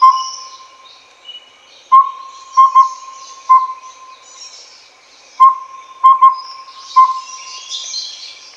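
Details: Collared owlet (Glaucidium brodiei pardalotum) giving mellow whistled toots in a four-note phrase (one, two quick, then one), repeated about every three and a half seconds; insects hum behind.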